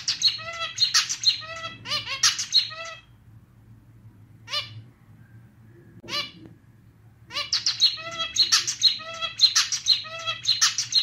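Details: Male zebra finch, a pet, singing its own unique clarinet-style song, like a slightly out-of-tune little clarinet: rhythmic bursts of nasal, harmonic-rich notes in quick phrases, a pause with a few isolated notes, then the phrase repeats; faint low hum behind.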